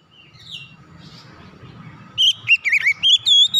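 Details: Oriental magpie-robin song for restarting a silent bird: after a quiet stretch with background noise, a loud rapid run of clear swooping and wavering whistles.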